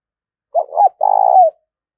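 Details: Single spotted dove coo phrase, a bird cooing to call and urge, used to excite decoy birds: two quick mellow notes, a brief pause, then a long trilled, pulsing note that falls away at its close. Clean background.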